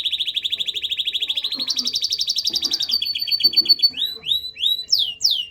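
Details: Canary singing a long rapid trill of evenly pulsed notes that rises slightly in pitch, followed by sharp down-swept whistles; faint low background sounds underneath.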